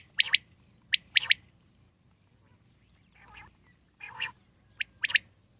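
Common quail giving sharp, liquid three-note phrases, quick 'pwit-pwit-wit' bursts about once a second, with a few softer, rougher notes in between.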